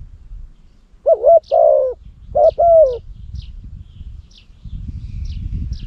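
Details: Big-voiced Cambodian decoy spotted dove, kept to lure wild doves, utters two two-part coo phrases in quick succession. Soft high chirps from other small birds continue afterward over a low rumble.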